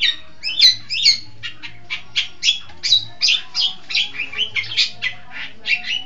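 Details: Long-tailed shrike from East Java, a lively singer, pouring out a fast series of sharp, high chips and slurred notes, roughly three to four per second, with a faint low hum behind.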